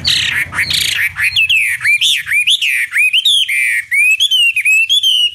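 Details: Long lure recording of Chinese hwamei (wambi) song for provoking rival birds: a harsh burst opens, then clear, looping whistles that swoop up and down, ending in quick, evenly repeated warbling notes.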